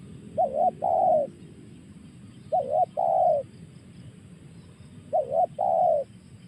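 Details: Spotted dove, 'tekan' call: three evenly spaced phrases about two seconds apart, each a shaky double coo followed by a sustained, gently falling coo, over quiet low-pitched background noise.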